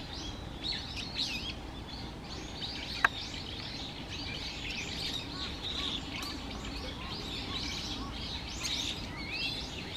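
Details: Little grebe chicks at feeding time, late November 2023, Musashiseki Park, Japan. Dense, steady stream of high, thin chirps, overlapping and constant, over a broad hiss of background noise with one sharp click.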